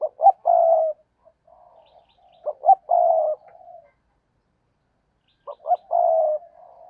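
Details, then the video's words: Decoy spotted dove cooing to lure wild birds. The loud song comes three times: two quick clipped notes, then a long steady croo. Soft low mutterings fill the gaps, with a pause of about two seconds before the last phrase. "cu gáy kích bổi nhanh nổi/ cu gáy mồi cây thúc gù bài bản"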